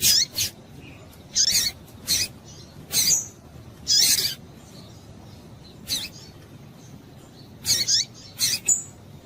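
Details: Female double-collared seedeater in breeding condition calling to excite males: short, sharp high-pitched chips, some in quick pairs, spaced irregularly over several seconds against a faint low background hiss.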